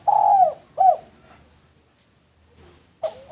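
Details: Male spotted dove used as a lure bird: two low, hollow cooing notes followed by a pause, then a third coo starting at the end, recorded with slight room echo.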